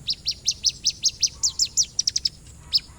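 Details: Lure recording of an Orange-headed thrush: a fast, fairly even run of short, high, sharply slurred notes, roughly two or three per second, ending in quicker clipped chips.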